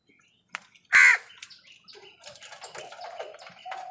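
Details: Crow calling while fighting wild birds for food: one loud, harsh, hoarse caw lasting about a quarter second, surrounded by scattered short chirps and twitters from other birds.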